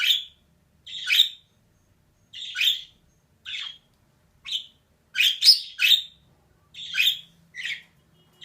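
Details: Female budgerigar giving harsh, raspy chirps in short bursts, some single, some doubled in quick pairs, spaced irregularly over the recording in a quiet indoor setting.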